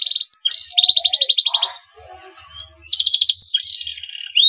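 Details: Male canary in breeding condition singing to encourage other canaries to sing: rapid high trills broken by rising whistled notes, a soft lower warble, a brief lull, then renewed trilling.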